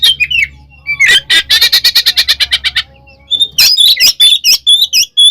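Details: Oriental magpie-robin (kacer) in a cage, singing a provoking fight song. A fast series of about fifteen harsh chattering notes is followed by high piercing whistles, with a low steady hum underneath.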